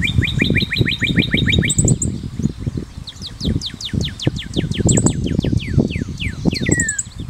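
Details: Cardeal vermelho singing: a rapid even string of short whistled notes, then a long sequence of steep falling slurs ending in a drawn-out downslide. Steady low rumbling noise and high, thin twitters from other birds are heard.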